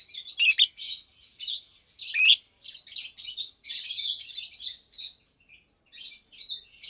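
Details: Daytime song of two adult Fischer's lovebirds, blue and pastel green: loud shrill chirps at the start, then a long busy stream of buzzy, squeaky twittering with short gaps.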